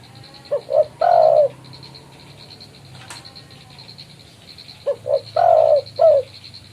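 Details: Spotted dove calling out a rival, used as a lure for trapping; two short low coos lead into a longer drawn coo and a final short note, the phrase repeated after a pause, over a faint steady hum.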